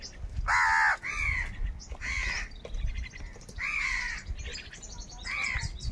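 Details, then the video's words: Crows fighting for food give several rough caws, one loud and the rest fainter, over low rumbling background noise and scattered higher chirps. "Crow Birds Unity Anger and Sound | All types of Crow Sounds | কাকের ডাক Crow Sound Loudly"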